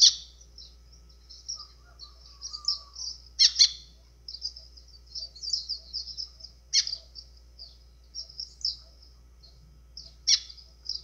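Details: Song in azulão style from a White-throated seedeater, played to stir birds up: a long, busy flow of high twittering notes broken by several loud, sharp downstrokes.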